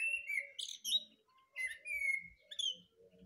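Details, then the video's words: A thrush singing in the morning: short, varied whistled and warbling phrases, some rising and some falling, separated by brief pauses, with quieter chirps in between. "Пение Дрозда"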